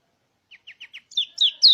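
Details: Mountain white-eye song used to coax other white-eyes into singing; four short evenly spaced chips, then louder slurred, descending high whistles.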